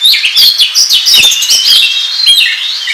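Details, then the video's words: Oriental magpie-robin trapping lure song, a short burst of dense, high chattering and twittering notes with quick slurred whistles, loud and continuous. "SUARA PIKAT KACER NGOBRA TERBAIK PALING AMPUH"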